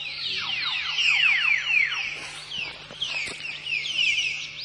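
A common hill myna gives loud, ringing whistles: a quick run of downslurred notes, then sharper calls and a stretch of rising-and-falling whistling, over a faint low hum.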